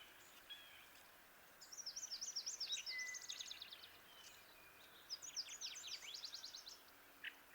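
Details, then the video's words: Kirtland's warbler (jack pine warbler) song: two loud, bright songs, each a rapid run of chipping notes rising into an emphatic ending, about three seconds apart over faint background hiss. "Kirtland's Warbler Bird Sound"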